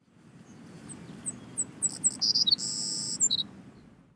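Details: Savannah Sparrow, a bird of prairies, sedge wetlands and salt marshes in the Canadian Maritimes, sings a three-part "take take take it easy" song: several thin, very high chips, then a long insect-like buzz, ending in a lower, falling trill.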